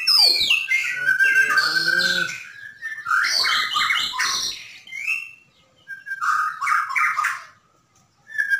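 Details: Bornean white-rumped shama in vigorous song, used as a tutor recording to stir caged birds into singing: dense rapid phrases of varied whistles, chatters and buzzy notes in three bursts separated by short pauses.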